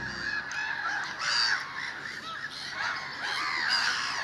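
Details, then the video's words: Gulls in early spring, a flock calling together: overlapping arched, harmonic squealing cries, with a few short high notes over a steady background hiss. "Чайки ранней весной"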